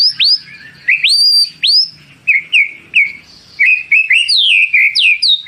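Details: Caged white-rumped shama in full song, kept as a competition bird, delivering long loud phrases of clear whistles that sweep sharply upward, followed by repeated rising slurred notes and bright high flourishes, with a faint low hum behind.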